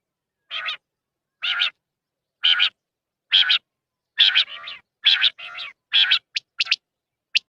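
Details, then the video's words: Quail, known in Urdu as batair, heard in a hunting context: short harsh, buzzy notes repeated about once a second, some doubled, ending in a few brief thin clicks, with clean silence between calls. "Quail Hunting New video/Batair huntind in urdu/Batair vioce"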